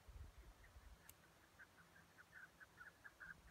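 A Chukar gives faint, rapid, repeated chuck notes, several per second in a steady run, over a low rumble of wind or distant traffic.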